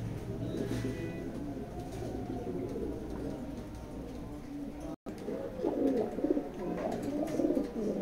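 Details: Racer pigeons cooing; a muffled, noisy first half gives way to low, rolling coos that rise and fall, overlapping and repeated in the last three seconds.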